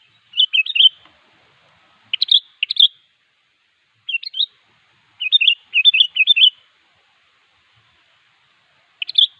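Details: Sooty-headed bulbul calling a rival with clusters of chirpy, bubbly whistled notes in bursts one to two seconds apart, over near silence.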